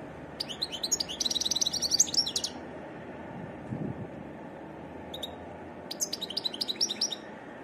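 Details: Varied song of a wild European goldfinch: a lively jangling phrase of fast twittering and buzzy notes, a pause with a lone chirp, then another tinkling phrase, all over a steady low background rumble.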